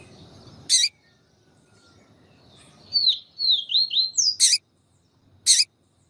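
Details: Yellow-bellied seedeater (papa-capim) in the siu siu song style, with a female calling to excite the male: a quick run of high slurred whistled notes, each a short rising or falling sweep, framed by several sharp loud clicks.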